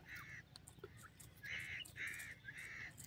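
A partridge gives harsh, grating calls, each about half a second long, in quick succession over a steady background hiss.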